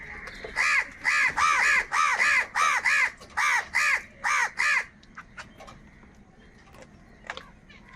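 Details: A large group of crows, apparently fighting for food, gives a run of about ten harsh, nasal caws in quick succession, then falls quiet while fainter calls and clicks continue in the background.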